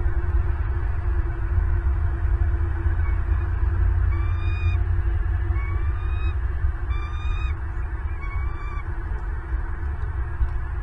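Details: Southwest Florida bald eagles at their nest, filmed by a nest camera on 8 December 2022 at 09:32, give four short, rising, whistled notes about one and a half seconds apart in the second half, over steady low rumbling noise.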